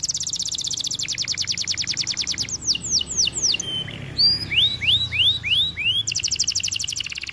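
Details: White canary song with a rapid pulsing trill, then slurred downward whistles, a series of bright upswept whistle notes, and another fast trill at the end.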